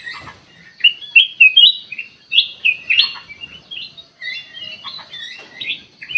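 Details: Ruby-throated bulbul singing as bait for luring birds: rapid, bubbly chirps and short whistled slurs tumbling in quick succession, loud bursts broken by brief gaps.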